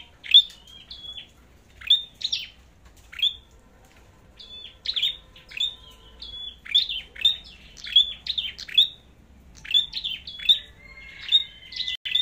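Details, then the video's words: Red-headed flowerpecker in competitive song: a long series of sharp, high, downslurred ticks, each followed by a short flat whistle, repeated about every second with brief gaps, in a quiet background. "Chim Sâu Đầu Đỏ Hót Đấu"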